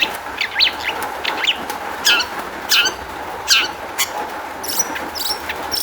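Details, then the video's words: Long-tailed shrike singing, played as a lure to get other shrikes singing; short scratchy chirps and sharp high notes at uneven intervals, with faint hum in the background. "kicau cendet gacor MEWAH ISIAN buat PANCINGAN CENDET AGAR BUNYI jadikan BURUNG PENTET NYAUT"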